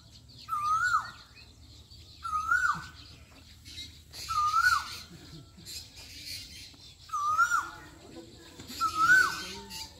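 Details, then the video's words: Asian koel song in Pakistan: five whistled upslurred notes that drop sharply at the end, repeated roughly every two seconds, with low murmuring and rustling sounds in the background. "Koyal ki awaz asian koel bird singing cuckoo bird singing song"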